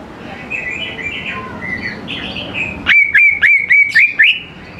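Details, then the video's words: Greater green leafbird song played to draw young birds into singing. Faint, blurred warbling comes first, then a crisp burst of six sharp, whistled, down-slurred notes in quick succession. "CUCAK IJO GCOR SANGAT AMPUH BUAT PANCINGAN CUCAK IJO MUDA BAHAN LANGSUNG NYAUT IKUT GACOR"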